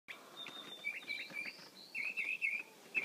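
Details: Mockingbird song: a loose run of short, high chirps and slurred whistles, some notes doubled, with brief pauses between them over a quiet background.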